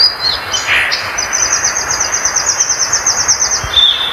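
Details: Violaceous Euphonia song: a few high slurred whistles, then a rapid, evenly pulsed trill of thin notes lasting about three seconds, ending in a short buzzy note, against constant hiss.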